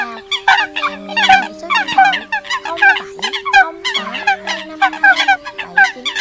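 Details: Eurasian coots in a recording used as a lure for bird catching, October 2020: dense overlapping nasal, harmonic calls from many birds, in rapid irregular bursts, over steady low tonal hums.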